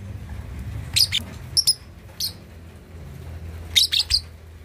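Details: Lovebird of two and a half months practising ngekek chatter, meant for provoking rival birds: piercing high chirps in clusters of two or three, a pause, then a final quick triple burst, over low hum.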